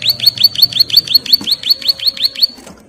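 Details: Female bar-winged prinia in breeding condition calls to its mate with about fourteen loud, high, clipped chirps in quick succession. Each note drops sharply, and the series ends abruptly.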